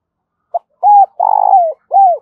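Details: Spotted dove calling with a fast, urgent coo: a short note, then an arched cooing note, a long throaty vibrating coo sliding down, and a final arched coo, all low and mellow.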